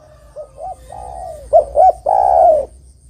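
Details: Spotted dove song for attracting birds: softer preliminary coos and a low hum, then a loud phrase of two quick hoots and a long, mellow, slowly descending coo.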